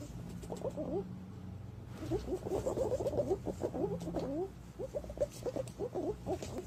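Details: Green pigeon calls, recorded for use as a lure to attract green pigeons. After a quieter opening, dense runs of short, wavering, whistled notes repeat rapidly and overlap. A low steady hum runs underneath throughout.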